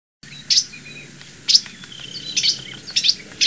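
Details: A Northern Cardinal nestling in the nest gives sharp, high chirps in short bursts about once a second, with faint thin whistles between them, while the father cleans the nest and coaxes a young one to leave.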